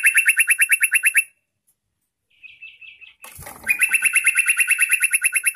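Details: Rolling trill from a yellow-vented bulbul, used to call wild birds: quick repeated notes stop, a softer wavering phrase of a few notes follows, then a rustle and the fast trill resumes strongly.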